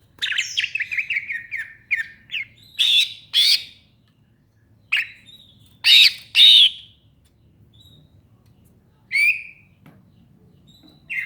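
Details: Greater green leafbird (cucak ijo) opening with a rapid chattering run of descending chirps, then scattered loud harsh rasping notes and a few short whistles separated by silent gaps, over a quiet background hum.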